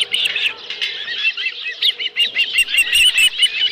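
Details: At the Dunrovin Ranch osprey nest on 11 July 2018, with a live fish brought in: dense, excited high chirping, the sharp notes running together and growing louder toward the end.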